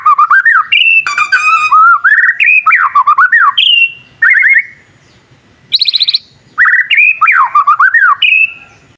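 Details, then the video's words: Young white-rumped shama learning to sing, making other shamas respond: loud whistled phrases that dip and climb, a buzzy rattling burst near the start and another mid-way, separated by short silences, ending in a high drawn whistle. "Suara burung murai batu paling gacor bikin burung murai lain langsung nyaut"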